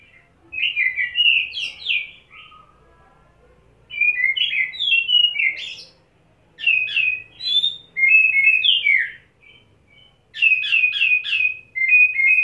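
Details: Oriental magpie-robin (kacer) staying on one spot in a ngobra display after 'setting basah', spilling isian phrases: bursts of rich whistled warbles and rapid repeated chips, separated by short pauses, ending in a quick stuttered series.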